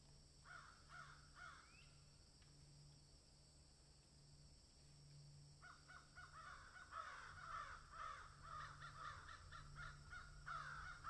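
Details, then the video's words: Cawing crows in a field: a few hoarse caws at first, a quiet gap, then a long dense series of rapid raspy caws over a steady low hum. "Crows Swallow and Egret in field"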